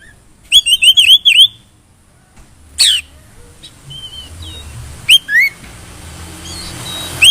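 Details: White-rumped shama song used to trigger other shamas to sing for contests: a rapid burst of loud whistled notes near the start, then scattered sharp sweeping notes and thin whistles over a faint low rumble.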